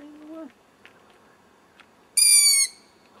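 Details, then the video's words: Owlet calling from a tree some 100 metres away in dim light: a brief lower tonal sound at the start, a few faint clicks, then one loud, harsh, squeaky screech of about half a second, slightly descending. "Owl chick makes a lot of noise - Uilskuiken maakt herrie"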